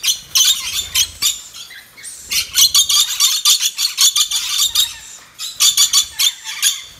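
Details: Red-collared lorikeet giving rapid series of harsh, screechy high calls, short noisy bursts repeated several times a second with brief pauses between runs.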